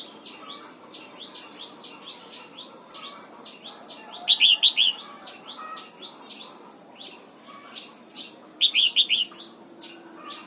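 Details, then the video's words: Morning song training of a red-whiskered bulbul for the double-note wild-style song: steady, quiet falling chirps tick along throughout, broken twice by loud, fluty warbled phrases of about four notes. "Luyện giọng chào mào hót sáng, ép chào mào hót âm kép già rừng hay tuyệt!"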